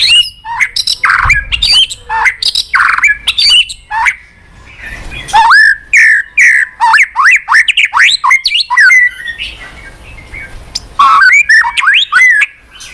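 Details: White-rumped shama singing energetically, dense series of rapid upslurred whistles and chattering notes in quick succession, a brief lull, then another fast burst.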